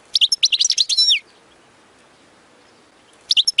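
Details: Goldfinch singing a fault-free song for teaching young birds: a quick one-second flurry of liquid, bouncing notes ending in a downward slur, then quiet and a brief restart of twittering.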